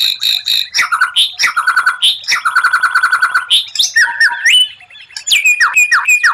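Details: Murai batu, the white-rumped shama, delivers rare 'tembakan' song: buzzy trills and chattering runs, then a clear whistle and sharp down-slurred notes.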